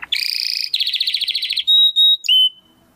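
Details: Domestic canary in full song, recorded as a training model for competition birds: fast trilled rattles, then long pure whistled notes held steady, ending with a brief sliding note.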